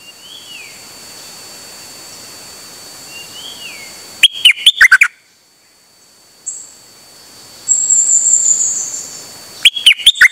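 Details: Dok taeng bird, recorded 8 September 2023, sings clipped, stepping whistle bursts twice, with soft rising-falling whistles of another bird early on and a high, rapid trill between phrases.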